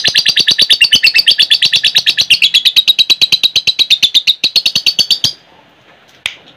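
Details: Long ngekek from a caged lovebird, played to train other lovebirds: a loud, fast, evenly pulsed rattling chatter of harsh notes, about seven per second, running over five seconds before stopping abruptly, followed by quiet and one brief sound.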